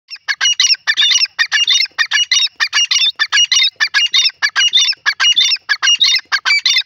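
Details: Grey francolin (desi teetar) hunting call: fast, harsh, squawking notes in ringing, grating bursts, repeated almost without pause for seven seconds, with no other clear sounds.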